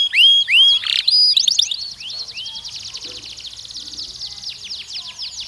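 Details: Canary singing while young males and females are trained for mating: loud upslurred whistles and sharp chirps at the start, melting into a softer fast trill of repeated notes; faint low noise underneath.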